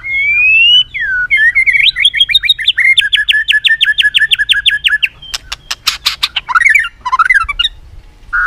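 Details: White-rumped shama singing competitively with tail flicking and continuous clicking: an upslurred whistle opens a fast run of repeated two-part whistled notes, then a burst of loud sharp clicks and a few twisting whistled phrases.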